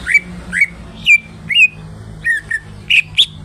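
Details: Greater green leafbird (cucak ijo) singing in short bursts: separate whistled and slightly squawky notes, some rising and some dropping, spaced unevenly across three seconds over a faint steady low hum.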